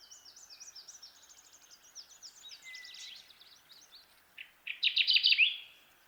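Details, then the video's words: Kirtland's warbler song in Michigan: a run of faint, high, buzzy descending notes from distant birds gives way to a loud, emphatic series of rapid chips ending in a clear ringing flourish. "Kirtland's Warbler Bird Sound"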